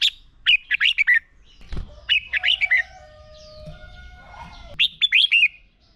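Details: Red-whiskered bulbul fighting song used in training: three loud phrases of five quick, descending slurred whistles, with a thud and faint drawn-out tones between phrases.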